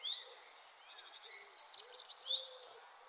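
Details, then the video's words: Early-morning bird chirping at sunrise, fairly soft: a brief high note, then a dense, high, scratchy twittering burst lasting about a second and a half, with faint background hum. "Sunrise early morning birds chirping sound"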